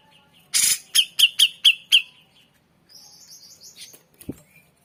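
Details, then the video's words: Lively grey-cheeked bulbul song used as training material for other songbirds: one raspy burst, then five crisp ringing chips in fast succession, followed by a fainter high thin trill and a soft tick. "MASTERAN CUCAK JENGGOT Full Isian Gacor"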